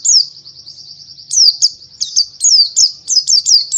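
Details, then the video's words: White-eye, Zosterops palpebrosus buxtoni, used as a training recording to make birds sing, gives high, thin, downslurred chirps in a quick run of about three per second, with a faint low hum beneath. "Masteran Pleci Buxtoni Biar Gacor Parah!!!"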